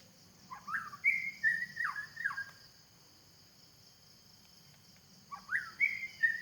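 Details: White-rumped shama in forest: a sequence of falling and rising whistles, a pause of about three seconds, then more whistled notes; continuous high insect drone.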